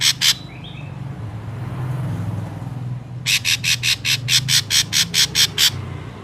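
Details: Ashy drongo lure call. Two harsh notes and a brief whistle come first, then after a pause a run of about twelve rasping notes, while a low engine-like drone fills the background.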